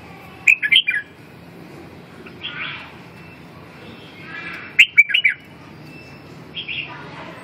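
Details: Red-whiskered bulbul giving clusters of sharp, liquid chirping notes in quick bursts, separated by softer, breathy rising sounds, with three bursts spread across several seconds.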